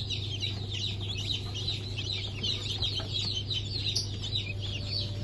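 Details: Newly hatched chicks of the Blue Brahma, Porcelain Brahma, Sussex and Marans breeds, from a hatch dated 1 April 2024. Many overlapping, high, rapid peeps form a dense, continuous chorus over a steady low hum.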